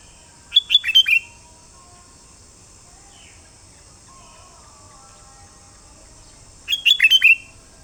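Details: Sooty-headed bulbul, locally called kutilang, giving two short bursts of quick, bubbly, descending whistled notes about six seconds apart over a steady high hiss and faint low background sounds.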